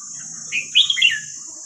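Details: Red-whiskered bulbul phrase from the hua krok khayao khuat song style for teaching young birds: one rich, fluty whistled phrase rising then sliding down over about half a second, against a steady high-pitched whine and low rumble.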